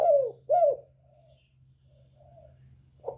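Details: Northern spotted dove in the 'còi bổi' voice style, used to provoke rival birds: two quick, low cooing notes in rapid succession, a pause with faint murmuring, then the start of another coo.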